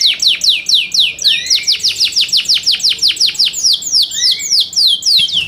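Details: Caged Yorkshire canary in competition song: a long steady run of loud downward-sweeping chirps, with a few lower rising slurred notes mixed in.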